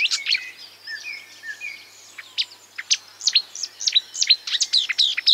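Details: Imitations of other birds by a marsh warbler: soft level whistles and slurs at first, then loud, sharp, downslurred chips repeated rapidly toward the end.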